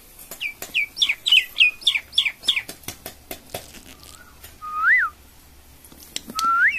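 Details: Indian common myna, a talking bird, rattling off a fast run of chirpy, buzzy notes, then after a pause two long rising whistled slurs, with faint clicks in the background.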